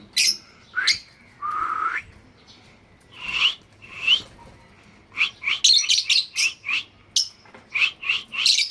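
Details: Lovebirds calling, with sharp high chirps and shrill squawks in irregular bursts that quicken into a dense chatter of short notes toward the end.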